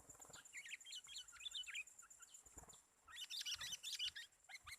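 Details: Sooty-headed bulbul at a bird-trapping site with a trained lure bird: bursts of quick, bubbly, chirping notes in rapid runs, a short pause near the middle, then another lively run of similar notes.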